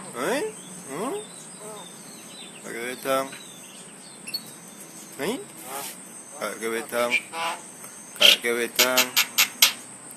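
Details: Vocal Javan myna mimicking talking and coughing: wavering, speech-like harmonic syllables rise and fall in short phrases, ending in a quick run of sharp clicks, over a constant high-pitched background tone.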